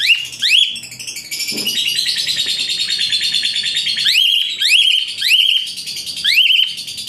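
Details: An Asian pied starling in full tutor song for training songbirds delivers a dense, continuous harsh rattle under repeated sharp upward whistles about once a second.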